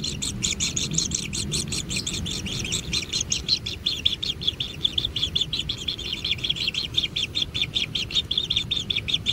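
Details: Begging kingfisher chicks being fed at a natural nest make a rapid, insistent series of buzzy high notes, close to three a second and unevenly spaced, with faint low hum behind.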